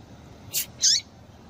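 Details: Female coleiro tui tui, a double-collared seedeater, calling to stir males into song: a pair of high, sharp notes, the second louder with a slurred downward sweep, above soft steady hiss.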